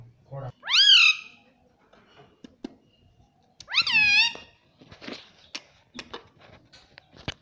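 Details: Talking parrot kept as a pet, saying "mummy": two loud, arched, voice-like harmonic calls about three seconds apart, followed by scattered sharp clicks and taps in a small room.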